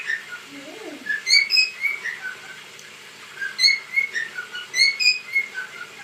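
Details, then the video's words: Cockatiel kept as a pet, whistling as it dances: clear, slurred notes strung into quick melodic phrases, two longer bursts separated by a pause, with a faint lower warble near the start. "sultan papağanı sesi"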